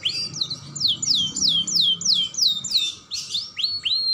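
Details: Young canary singing as a lure to stimulate other canaries: a fast run of high downslurred whistled notes, about three per second, ending in rising upslurs.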